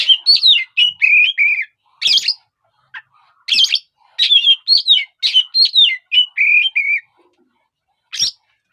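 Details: Oriental magpie-robin calling to provoke other birds, given in quick bursts of whistled, warbling phrases mixed with harsh buzzy notes, about ten bursts over nine seconds with short pauses between them.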